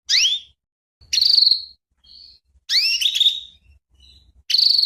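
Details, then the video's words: Female canary calling to stimulate the male: loud rising, slurred chirps alternating with harsh buzzy notes, about one every second and a half, with faint low rumbles beneath. "inilah suara kenari Betina Perangsang Kenari Jantan."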